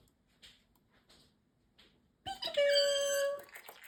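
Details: Captive male parrotlet that talks and says phrases like peekaboo; faint clicks and ticks, then a loud steady whistled tone held for about a second, followed by brief squeaks.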